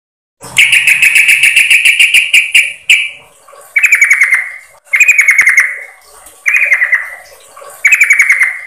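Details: Female yellow-vented bulbul calling the male, a lure call: a long fast rattling trill of bright chirps, then four short chattering bursts that each slide downward, spaced about a second apart.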